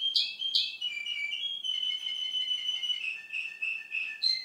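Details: A male Russian canary sings: two sharp chirps, then long sustained pure whistles that hold steady and step down in pitch, ending on a bright high note.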